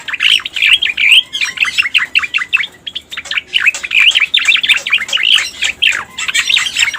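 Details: Cica koreng (pied bushchat) sound played to lure the bird: fast, chattering bursts of sharp up-and-down slurred notes, packed tightly together, with short pauses between phrases.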